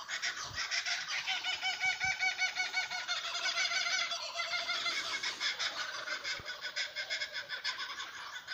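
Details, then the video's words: Several Tasmanian kookaburras in a Blackwood tree near a road cackle together in a loud, rolling chorus of harsh, rhythmic hoots, about three per second, apparently upset at a goshawk perched with them. "The sound of some crabby Kookaburras"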